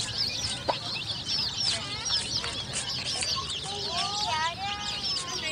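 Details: Colourful chicks peeping together in a dense chorus of high, thin, rising and falling whistled peeps, overlapping continuously throughout.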